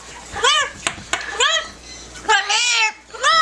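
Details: Yellow-naped amazon kept as a pet, singing and talking indoors; several rounded, rising-then-falling voiced syllables and one longer drawn-out sound, spaced irregularly about once a second.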